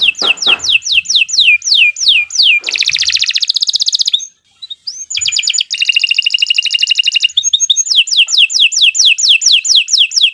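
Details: Canary delivering a long, energetic master song for training young birds: strings of down-slurred whistles about eight per second, dense buzzy trills, a brief pause, then more rolling trills and swooping notes.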